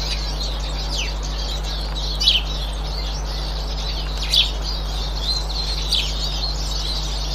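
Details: Eurasian siskin recorded on 18 March 2024, giving a few sharp, high, downslurred call notes at intervals over a soft background twitter, with a steady low hum throughout.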